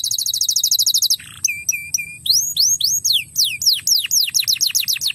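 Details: Crested canary used to prompt young canaries to sing: a rapid ringing trill, a low rasp, flat repeated chirps, then loud whistles swooping downward one after another.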